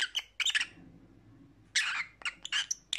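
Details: Lovebird: a quick flurry of shrill, raspy chirps, a pause of about a second, then another burst of harsh squeaky notes, over faint low background noise.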